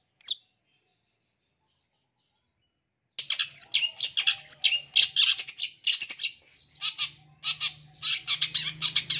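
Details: Long-tailed shrike lure recording, packed with mimicked song, meant to get wild-caught young birds to answer; one sharp note, a three-second silence, then a dense, fast chatter of scratchy and whistled phrases over a low hum.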